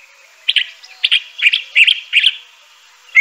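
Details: Crissal thrasher (Toxostoma crissale) giving a brief run of five quick, chirpy doubled notes in about two seconds, over a faint steady background hiss.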